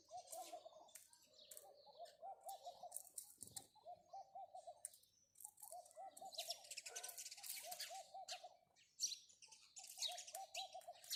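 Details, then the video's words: Rapid house sparrow chirps come in clustered bursts over steady, low, rolling dove coos that repeat roughly every second, with a short rustle partway through. "house sparrow chirping"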